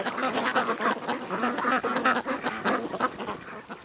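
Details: Flock of ducks gathered at a creek, giving a steady, dense chatter of rough quacks that run into one another with hardly a pause, some notes slightly higher and clearer.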